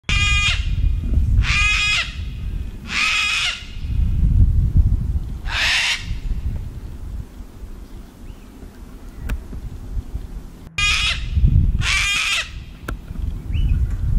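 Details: Cockatoo giving harsh, grating screeches, four in quick succession about every one and a half seconds, a pause, then two more, over steady low rumbling background noise.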